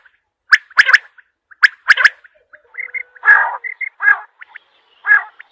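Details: Large quail calling: sharp, clipped whistles in quick pairs and triplets, each burst about a second apart. Later, harsher, buzzy notes and short high chirps from other birds join in.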